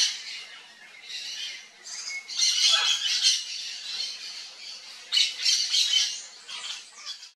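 Yellow-faced Parrot giving harsh, high screechy squawks in quick bursts, several per second, rising and falling in loudness.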